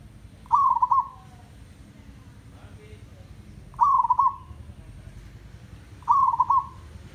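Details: Merbok kampung, a local zebra dove, repeats a short stuttering coo phrase roughly every two and a half seconds: rapid bubbling notes at one steady pitch ending in a soft trailing tone, quiet low rumble behind.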